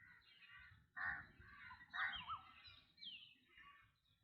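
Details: Black drongo producing rasping, scratchy notes in uneven bursts about a second apart, mixed with short slurred whistles and a background murmur of low noise.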